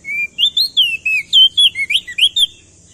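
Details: Crested white-eye male from Nusa Tenggara in full, loud lure song meant to set other birds singing; about a dozen rapid whistled notes, each a bright rising or falling slur, delivered in a brisk chattering run.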